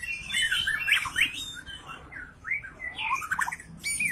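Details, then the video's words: White-rumped shama in an agitated, aggressive singing mood, used to spur other shamas to sing: squeaky, bending, fast-changing notes and scratchy phrases against a noisy background. "Murai Batu Ngamuk Rekomended untuk Pancing MB lain ikut Gacor + Fighter"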